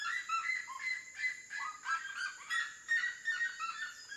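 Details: Red-legged seriema in song close to water: rapid, shrill yelps and barks tumbling in an irregular run about three per second, over a steady high background hiss.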